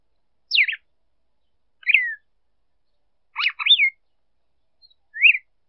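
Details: Female red-cowled cardinal singing to stimulate a male: four short, clear whistled phrases about one to two seconds apart, some sliding downward, others with a quick up-and-down twist, in otherwise silent surroundings.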